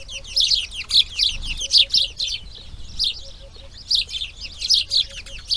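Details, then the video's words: Nestling grey herons on breeding day two give a fast run of scratchy, grating calls, about seventy-five a minute and irregularly spaced, then a short lull before the chatter resumes. "RELAX SONIDOS IMAGENES NATURALEZA | Garza real (Ardea Cinerea) Crianza Dia 2| Grey Heron Breeding"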